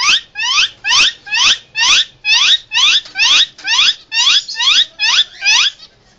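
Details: Emergency sounds from a captive Indian ringneck parakeet: a rapid series of about twelve harsh, descending screeches, evenly spaced and loud, fading at the end with no other sounds.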